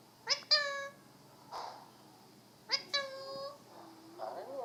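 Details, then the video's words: Alexandrine parakeet giving two pairs of short, harsh, squawking calls about two and a half seconds apart, each note brief and strongly harmonic, with soft murmured sounds between them in a quiet indoor setting. "Alexandrine parakeet talking and making noises"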